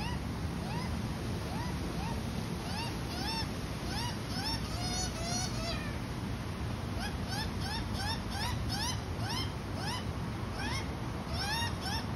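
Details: Australian magpies, an adult feeding a baby magpie, give short, rising, nasal squawks again and again, several per second at times, over steady rushing wind or surf noise.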